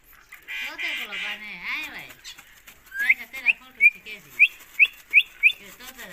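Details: An Indian ringneck parakeet, a pet talking to its owner, produces harsh speech-like syllables for two seconds, then a series of about eight short rising whistles spaced roughly every half second.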